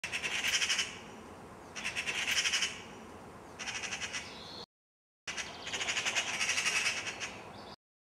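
A Ural owl gives harsh, hissing, raspy bursts about a second long, repeated every second or two with short pauses; no other sounds stand out.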